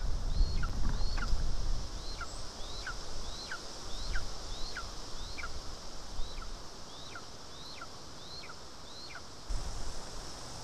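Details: At an Estonian nest on 2 August 2020, a lesser spotted eagle being brought voles gives a run of high, slurred whistles, each rising then falling sharply, roughly three per second. Rustling and bumping sounds come near the start and near the end.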